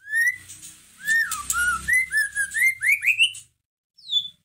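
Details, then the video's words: White-rumped shama song used to stir up and provoke a caged shama into singing: clear whistled phrases sliding up and down, ending in rising notes and a short high whistle after a pause. "Pancingan masteran pendongkrak emosi murai batu loyo langsung nyahut Gacor"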